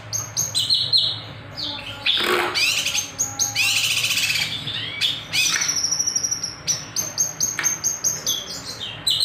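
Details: Kinoy bird in lively gacor song with nembak and sharp beset, recorded as a master or lure: clipped shrill whistles in quick groups, broken by two louder rattling bursts and short pauses.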